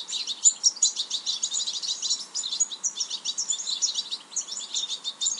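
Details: Stieglitz or Distelfink, the European goldfinch, pouring out a lively jumble of high, clipped tinkling notes and quick trills, packed closely together throughout, with a soft constant hiss beneath.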